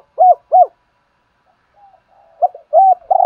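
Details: Decoy spotted dove calling to get other doves cooing: two clipped hollow coos, a pause with faint soft notes, then a new phrase of rising coos ending on a longer note.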